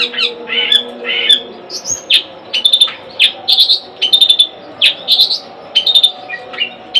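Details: Long-tailed shrike (cendet) kept at home: two rough scratchy phrases, then a series of short sharp chips and squeaks spaced irregularly, about every half second, over a faint hum.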